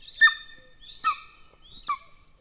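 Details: Golden eagle at its nest in Estonia, close to a military training ground, May 2024; three separate drawn-out calls, each starting high and sliding down into a ringing, harmonic tone.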